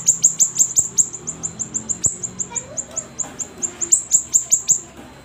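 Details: Siri-siri songbird singing actively, kept as a cage bird for training: a fast series of thin, very high chirps repeated about three to four times a second, steady throughout, with faint low background hum.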